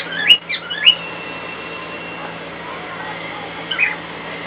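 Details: Pet cockatiel responding in song to a hairdryer in another room: two or three sharp whistled chirps at the start and one more near the end, with a steady whirring drone throughout.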